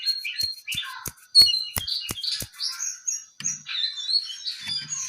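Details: Brown-eared bulbul singing a string of bright whistled notes and chattery phrases, some rising and falling, broken by several sharp clicking taps in the background.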